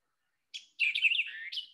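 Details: Spring in South Carolina: a White-eyed Vireo sings a sharp opening chip, then a quick, jumbled burst of scratchy notes and a final emphatic note, like "quick, give me the beer, check".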